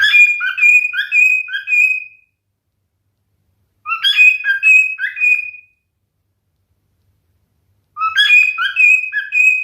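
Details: Male cockatiel singing: three whistled phrases, each about two seconds of mixed short chirps and a long steady whistle, separated by pauses of roughly two seconds.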